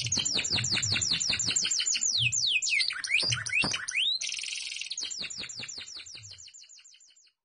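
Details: Kept canary in full varied song: fast series of rising high sweeps, then swooping slurs and a dense buzzy trill, returning to quick repeated notes that fade toward the end.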